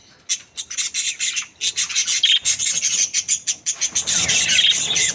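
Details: Budgerigars, a happy breeding pair, chattering: a fast, scratchy run of high chirps and squawks repeated about three times a second, with short whistled notes near the middle and a denser, continuous warble toward the end.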